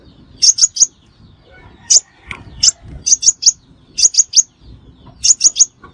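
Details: Quick groups of three piercing high chirps from a sunbird, played as a lure for trapping, repeated about once a second with faint background noise.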